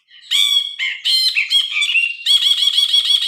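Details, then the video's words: Phone recording of a grey-cheeked bulbul: loud harsh chattering notes in quick succession flowing into a rapid buzzy rattling trill. "Suara burung brinji kelabu"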